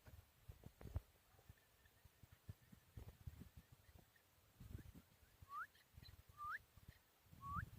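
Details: Four-year-old hand-reared Chukar partridge in Tajikistan, 2021: after several seconds of low rumbling and knocks, three short rising slurred notes are spaced about a second apart near the end.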